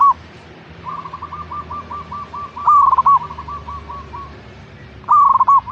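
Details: Zebra dove song for coaxing a caged bird to sing: two loud purring coo phrases with stuttered pulses, while a softer run of evenly repeated short coos from another dove continues in between.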